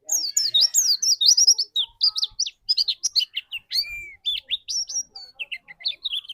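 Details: Trigger white-eye, kept so another bird will start singing, pours out a varied chattering song of high twittering whistles sliding up and down, with one lower drawn-out note midway.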